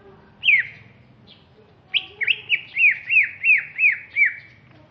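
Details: Greater green leafbird from Alas Purwo in Banyuwangi, East Java: an opening downslurred whistle, then a run of about seven clear, falling whistled notes repeated several times a second.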